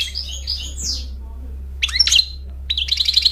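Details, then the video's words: European goldfinch giving scattered, high twittering phrases: a buzzy chatter, a quiet stretch, then sharp, bright chirps and a rapid run of tinkling notes, over a constant low hum. "Cute goldfinch He songs amazingly and engaging"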